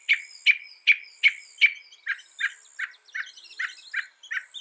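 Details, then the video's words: Northern mockingbird song, a loud, fast series of sharp chirped notes repeated about every half second, first a bright set of five, then a lower, softer run of similar notes. "Mockingbird Bird Sound"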